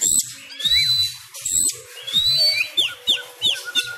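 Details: Sumatran kacer, the Oriental magpie-robin, singing its fighting style at home during Covid-19 restrictions; high clear whistles, some rising or falling, alternate with sharp clicks and brief squawky bursts.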